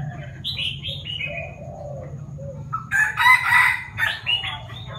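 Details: A Chinese francolin about six months old tries out its crow. Scattered chirps open, then a loud, hoarse, rasping burst of several strained notes follows over a low steady hum.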